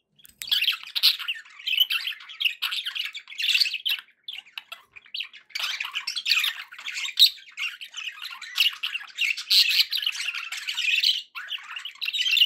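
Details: Pet budgies sounding happy: long, nearly unbroken stream of squawky, buzzy warbling and chirps, rising and falling in loudness with only short pauses.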